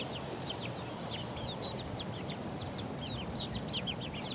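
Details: Four-week-old chicks pecking about. Sliding high peeps from several young birds overlap continuously over a steady rushing hiss, with no pause in the chatter.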